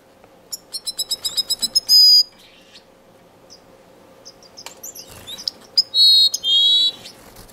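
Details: A male blue-capped cordon-bleu in an indoor, non-breeding community aviary in Edmonton, Canada, on 18 February 2015, sings high, thin notes: quick ticking chips leading into buzzy sustained whistles, repeated twice, over a faint steady hum.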